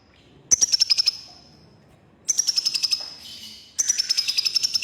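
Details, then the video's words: Red-breasted crimson sunbird, locally konin, delivering three longer, fast rattling trills at very high pitch, slightly falling, separated by pauses of about a second. "Burung KONIN Kolibri Ninja DAMER Dada Merah Gacor || CHIRPING SOUND ||"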